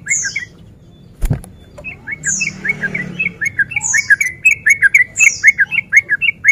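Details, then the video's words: Male Sooty-headed bulbul in breeding condition, singing as a fighting lure: a sharp knock, then scattered bubbly notes that build into quick, steady chattering phrases, with high thin slurred whistles recurring every second or so. "Pancingan Trucuk Gacor Ropel Garuda Over Birahi"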